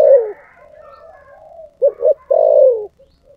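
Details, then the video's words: A spotted dove coos in the thổ sấm style. A falling coo is followed by a soft murmur, then two short coos and a long, loud, low coo sliding down at the end. "cu gáy giọng thổ sấm"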